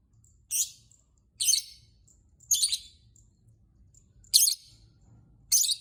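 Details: Lovebird calling out to provoke other lovebirds into song, giving five separate shrill, rasping chirp bursts at irregular intervals of about one second, each brief and high-pitched.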